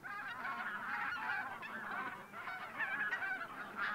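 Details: Hundreds of wild geese, wintering bean and white-fronted geese, taking off before sunrise at Teichland Linum, Brandenburg, in winter. A dense chorus of overlapping nasal honks and yelps rises and falls continuously with no pause.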